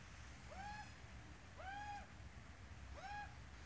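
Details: Australian magpie adult with its chick, giving three rising-then-falling harmonic calls roughly 1.2 seconds apart, moderately faint against a continuous low-pitched background rumble.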